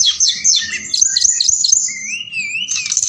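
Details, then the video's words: Forktail lure song at night, meant to stir other birds: rapid, chattering high notes, then a long, lower whistle that wavers upward before ending with scratchy high notes. "Tledekan Gunung Gacor Malam || Suara Pancingan"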